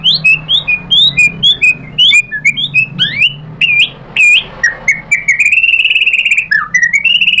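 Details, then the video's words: White-rumped shama, provoked into replying, singing a rich run of whistled notes, quick upslurs and downslurs, then a long buzzy trilled phrase near the end; low hum underneath. "MURAI BATU GACOR memancing EMOSI jadi NYAUT BONGKAR MATERI ISIAN"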